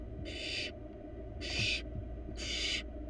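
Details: Nestling barn owl, wild, inside a research nest box: three loud harsh hissing bursts, each about half a second, roughly one per second, with low background hum.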